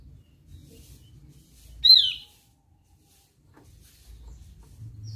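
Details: Javan grey-throated white-eye (opior Jawa) in lively voice: one sudden piercing note that drops in pitch, rising out of soft low background hum and then fading into near silence.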